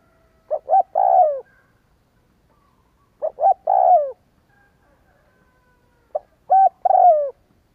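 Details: Recorded spotted dove coos played to trigger cooing in doves: three phrases roughly three seconds apart, each made of two quick clipped notes followed by a longer coo that falls away, against a quiet background.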